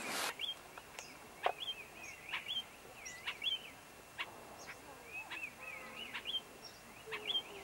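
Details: Elliot's laughingthrush (Trochalopteron elliotii), north of Xining, Qinghai, China, 2005, gives short, clear whistled calls that curl up and down, several each second; a few sharp clicks and a brief bump at the start.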